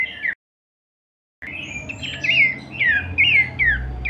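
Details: Horsfield's babbler (pelanduk semak) kleperan song in a short burst: a note, a brief gap, then several quick descending whistled phrases close together with light background noise.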